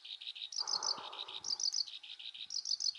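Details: Black-browed reed warbler song recorded in June 2020 at Wakka Primeval Flower Garden, Hokkaido. High, fast notes alternate between sharp ticks and harsher buzzy units. A brief rushing noise and low thumps sound beneath the song near the start.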